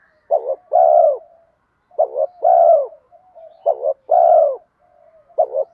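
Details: Spotted dove calling in the 'giọng đồng' urging style to lure wild birds: three phrases, each a quick two-part note then a long rich coo, a fourth beginning at the end, faint murmurs in the gaps.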